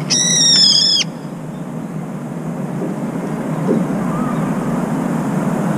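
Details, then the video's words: Brown-eared bulbul giving a shrill drawn-out screech on leaving a cold bath, where it bathes repeatedly because its food dish is empty; one second of harsh harmonic screech, then continuous splashing water. "직박구리, 냉수욕하고 시원하다며 삐이이익 소리침"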